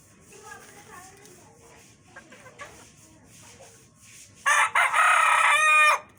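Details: Rooster in a hen family: soft clucking and low chatter at first, then a loud, full crow of about one and a half seconds broken into short opening bursts and a long steady tail.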